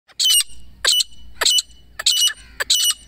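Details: Female grey francolin calling, local hunting-lure recording: harsh, loud, high-pitched grating notes in short bursts, about five over three seconds, separated by quiet gaps with low background rumble.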